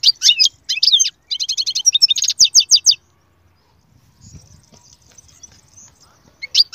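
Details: Goldfinch song, described as among the strongest for getting a silent goldfinch to start singing: dense bursts of high twittering and fast buzzy trills, a pause with faint low murmuring, then the song resumes.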